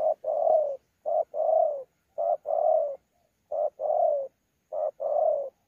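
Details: Spotted dove caught from the wild, Sa Thầy, 26 November 2019, calling in thổ pha challenge style with bowing coos. Five regular phrases pair a brief note with a fuller, gently falling coo, repeated roughly every second.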